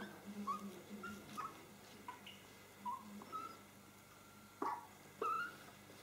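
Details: A hand-reared Hooded crow chick in Mályi, Hungary, on 31 May 2013, which asks for food every two hours, gives short, whiny, squeaky begging notes in irregular bursts, with sharp clicks and a low hum.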